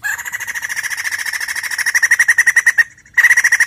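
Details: White-crested laughingthrush singing, a recording meant to coax a caged bird into song: one long run of rapid, evenly pulsed, buzzy cackling notes that grows louder, breaks off briefly, then resumes.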